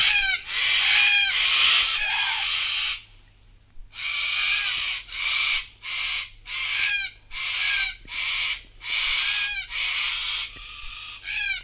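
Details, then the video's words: Sulphur-crested Cockatoo from Australia giving loud, harsh, raucous screeches in a rapid series of about a dozen grating bursts separated by short gaps, with a brief pause near the start. "Sulphur Crested Cockatoo"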